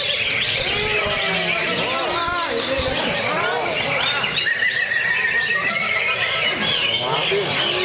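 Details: A caged greater green leafbird, kept in a lovebird cage, sings continuously with full varied content: a dense, unbroken stream of varied whistles, trills and chattering notes, rising and falling quickly without pause.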